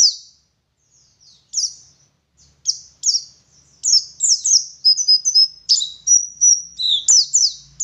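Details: High twittering of an Oriental white-eye, a West Java dakun bird from Garut: scattered thin notes at first, building into a fast, uneven chain of bright downward-sliding whistles and trills about three per second.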